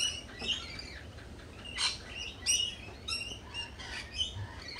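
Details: A cafe full of lorikeets: shrill, overlapping chirps and squeaks scattered throughout, with short loud peaks, over a low, steady background noise.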